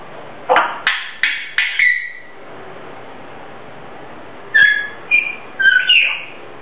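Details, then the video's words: Grey parrot at home whistling its own invented tune: four quick rising whistles, a pause of about two seconds, then a few higher, wavering whistled notes. "Gray parrot - 灰鸚 Cuckoo 唱自創曲"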